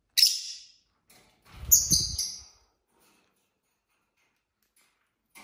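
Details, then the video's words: Pet lovebirds, several couples kept together, at dinner time: two sharp high chirps, the second a quick double note, separated by low thumping and rustling from feeding, then quiet. "Lovebirds dinner time | lovebird singing & chirping sounds"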